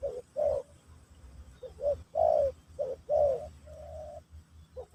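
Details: Pesom or kacuk song of a spotted dove, played to teach a new bird. Spaced coos alternate between short clipped notes and longer drawn-out ones, set against a fairly quiet background.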